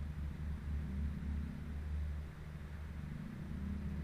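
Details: Steady low engine-like rumble with broadband hiss and no animal voice.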